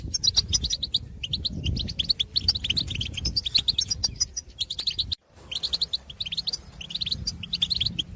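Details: Field goldfinches calling to their own species: rapid, jangling twitters in clustered bursts, a brief silent gap midway, low background rumble beneath.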